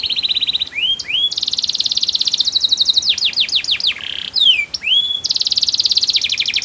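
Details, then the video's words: Canary in full song: long rapid buzzy trills broken by swooping whistled notes and a short series of downslurred notes, loud and continuous throughout. "Suara burung kenari bernyanyi merdu"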